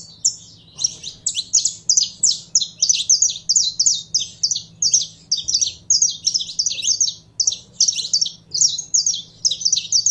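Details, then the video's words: Saffron finch kept by a bird keeper, getting fired up: a long, fast run of sharp, high chirps repeated in tight rhythmic groups almost without pause, with a soft low hum behind. "Canário da Terra Esquentando em 3 2 1!!!"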